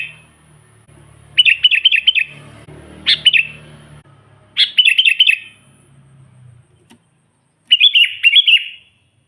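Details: Sooty-headed bulbul singing to lure wild bulbuls: bubbly trilled phrases repeated every couple of seconds over a low background hum.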